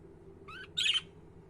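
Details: Single budgerigar call: a quick wavering harmonic note immediately followed by a loud, harsh, scratchy squawk-like chirp lasting about a quarter second.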